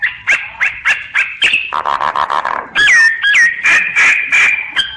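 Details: Song of a common myna recorded via phone app: quick repeated chips, a low buzzy rattle, two looping whistled notes, then sustained harsh, wheezy calls.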